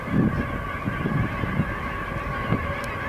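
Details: Large flock of Canada geese assembled in a field at dusk, honking continuously as a dense chorus of low, overlapping calls, over a steady rumbling background from a nearby train.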